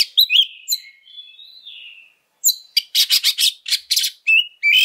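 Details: Oriental magpie-robin lure song in an aggressive fighting style: sharp slurred whistles lead into a long, falling, wavering whistle, a brief pause, then dense harsh buzzy bursts and bright whistled chips.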